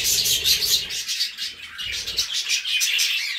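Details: Budgerigars, possibly with cockatiels, chatter in a continuous, high, scratchy warble of rapid chirps and clicks, several birds seeming to overlap, with faint low room sounds beneath.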